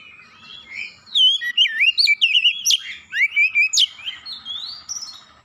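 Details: Oriental magpie-robin provoking song, aimed at stirring another magpie-robin to sing: a lively run of sliding whistles, quick trills and sharp high chirps, several notes per second, tapering into softer rising whistles.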